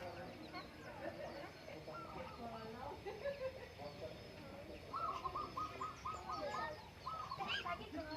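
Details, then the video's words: Perkutut (zebra dove) heard in the morning on the Menoreh hillside during farmers' breakfast: a run of quick, beaded cooing phrases repeated in close series, with soft chatter and other faint bird notes behind. "bunyi burung perkutut"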